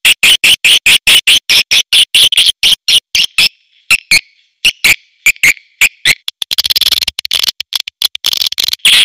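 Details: Swiftlets, premium calling sound: a long series of rapid, dry echo-like clicks, then dense, high chattering twitter toward the end.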